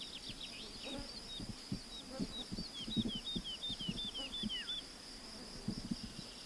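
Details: Woodlark song, a species known to repeat the same motif: clear descending slurred whistles delivered one after another in an even run, with soft low thumps and background hiss beneath.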